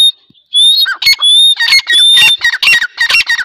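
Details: Dakhni teetar, the grey partridge, calling: after a brief quiet start, strident squealing notes with thin high whistles tumble out in a fast, loud, tightly packed run.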